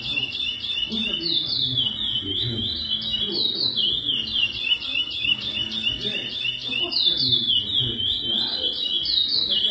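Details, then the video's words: Captive-bred lesser seed finch (curió) of high-genetics breeding singing the classic praia song style: clear whistled notes, each phrase gliding down then leaping back up, strung in a rapid continuous series over a murmur of low background noise. "Curió Canto praia clássico"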